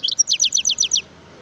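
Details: European goldfinch in the wild, 2018: a brisk, bright phrase of about seven repeated falling chirps lasting about a second, then quiet.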